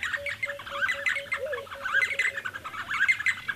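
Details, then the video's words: D'Arnaud's barbets calling near Lake Baringo: a busy chorus of chattering, squeaky notes tumbling over each other, with a steady low hooting note repeated about every quarter second beneath. "D'Arnaud's Barbets Calling"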